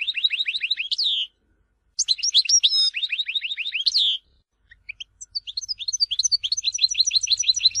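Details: European goldfinch from Tizi Ouzou, Algeria, delivering bursts of quick descending chirps in repeated series, broken by brief silences, ending in a scattered run of high tinkling notes.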